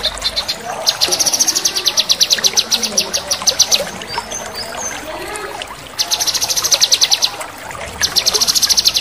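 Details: Male cucak kinoi in full song, crecetan and tembakan style: fast, sharp ticking trains high in pitch, each lasting about one to one and a half seconds with short gaps between, over a soft background trickle of water.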